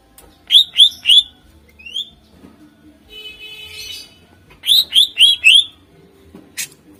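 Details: Lively greater green leafbird (cucak ijo) singing to lure contest birds: a fast trio of ringing slurred notes, a rising whistle, a soft buzzy trill, then four bright repeated slurred notes.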